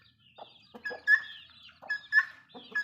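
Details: A hen with her chicks, kept with a rooster, ducks and chukars, gives short low clucks mixed with brighter, squawky tonal notes in two bursts, with soft scattered calls between them.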